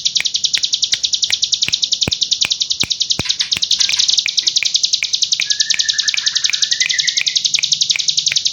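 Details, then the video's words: A hill prinia pours out a nonstop, high, rattling burst of rapid notes like machine-gun fire, with sharp clicks about three times a second and a brief rising whistle midway. "Tembakan AK47 Cigun Gacor Full Ngebren"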